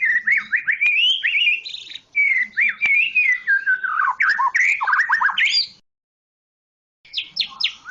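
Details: White-rumped shama, Medan type, pouring out a long run of quick looping whistles that slide gradually lower, breaking into rapid stuttering notes, a pause, then a brief burst of high chips.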